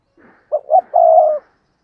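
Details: Spotted dove, a decoy bird used to lure wild doves, giving one coo phrase: two short rising notes, then a longer steady mid-pitched coo, with faint soft notes before.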